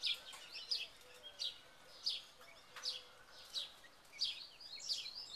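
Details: In a big cage in May 2011, second-generation Buff Orpington chicks give sharp, high peeps roughly every half to one second, fairly evenly spaced, over a quiet hissy background.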